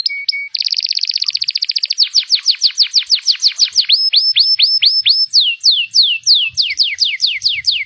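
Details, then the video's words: Panda-variety local canary in full song, opening with short whistles, then a rapid buzzy trill followed by a series of descending slurred notes and rising upswept whistles, about three per second, loud and clear. "Kenari Panda"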